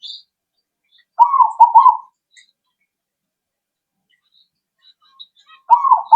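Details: Zebra dove calling as a lure to get other birds to answer; a stuttering, bubbly coo phrase of about a second, a long quiet pause with faint high chirps, then another phrase begins.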